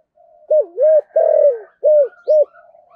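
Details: Decoy spotted dove with the "giọng thổ" voice style, cooing a low phrase of five rounded hoots, the middle one longest and the first a soft double, in near silence.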